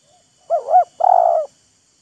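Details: Wild spotted dove and decoy trading calls, showing off and luring each other: a soft double coo with a dip between notes, then one drawn-out vibrating coo that fades slightly downward.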